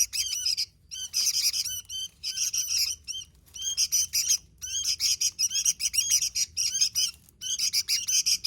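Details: Sooty-headed bulbul singing vigorously: bursts of rapid, harsh chattering notes with bright upper overtones, broken by brief pauses, over a quiet low hum.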